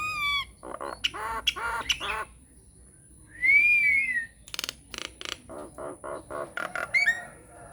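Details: Nias hill myna giving varied lure song to spur mynas into answering: nasal harmonic honks, a clear arched whistle, then a string of short rasping squawks and upswept whistled notes.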